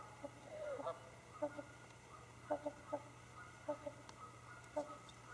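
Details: Trumpeter swans getting ready for bed, calling: a series of nasal, horn-like honks, singly and in short pairs, every second or so, over a steady low hum.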